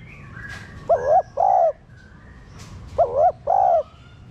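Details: Spotted dove coo used to prompt caged doves to call: two double coos, each a short wavering hoot followed by a fuller flat hoot, with thin high chirps from other birds between.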